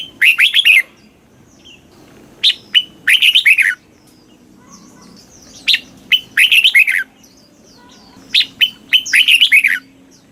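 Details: Thai caged red-whiskered bulbul giving southern master-style song to excite listening birds: bursts of five or six bright, bubbling whistled syllables, returning roughly every three seconds with quiet gaps between.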